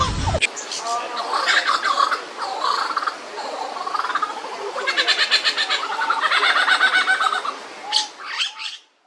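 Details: An Australian lyrebird (Menura) runs through a rapid medley of mimicked sounds: whistled notes, buzzy rattles and clicking trills, changing every second or so, with a voice heard faintly.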